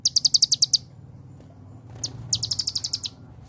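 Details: Celilin-flavoured song of a Van Hasselt's sunbird, or konin, used as tutor material for caged songbirds. Two quick shrill trills, each a string of evenly spaced piercing notes, with a short high chip and a pause between them.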